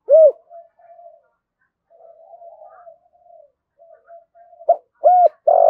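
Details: Spotted dove calling to provoke fighting and lure rivals: loud, soft-edged coos, with quieter, mumbled cooing in between, then a sharp note and a burst of noise at the end.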